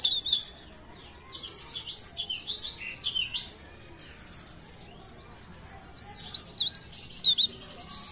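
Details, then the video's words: Leaf warbler from Parepare: scattered high chirping notes, softer through the middle, then a louder burst of thin, wavering whistles and quick chips toward the end. "CIKRAK DAUN | PARE PARE | BLERENG GACOR"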